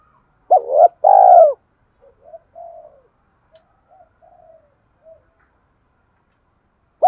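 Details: Spotted dove in a fast provoking cooing style meant to trigger a decoy bird: one loud, strongly throaty double coo, then scattered faint short hoots trailing off into quiet, with a fresh coo starting at the end.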